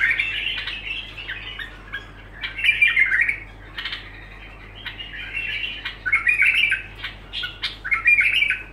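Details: Bulbul pouring out continuous song: rapid squawky warbles, sharp clicks and whistled notes in repeated bursts of a second or so, against a faint constant hum.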